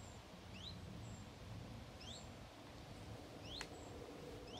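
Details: A juvenile common chiffchaff gives soft, rising 'hweet' notes about every one and a half seconds, over steady wind and low rumble, near a large lake and woodland on a breezy day.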